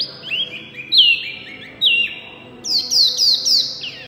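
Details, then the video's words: Loud, nonstop song from a small white-eye: sweet high whistles sliding downward, followed by a quick run of repeated descending chirped notes. "wambi mini gacor full suara kencang"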